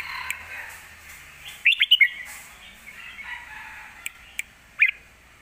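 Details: Red-whiskered bulbul kept in a cage in Thailand, performing the fierce Lak Wai song style meant for tutoring young birds: a brief cluster of clear warbled notes midway, then scattered single sharp chirps.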